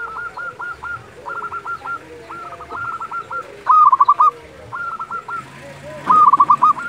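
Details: Zebra dove of a local strain calling at dusk; soft overlapping coo series from several doves give way to two loud, quick rattling coo phrases near the end.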